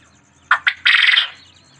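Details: A white quail calls once: a pair of short emphatic notes, then a longer coarse, rattling buzz that fades out. A soft low murmur sits underneath.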